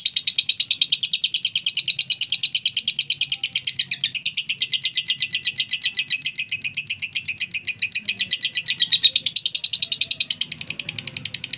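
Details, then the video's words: Long unbroken ngekek from a mentil lovebird: a fast, even chatter of shrill, buzzy pulses running without pause, briefly dipping in strength near the end before continuing. "LOVE BIRD NGEKEK PANJANG 2 MENIT TANPA JEDA"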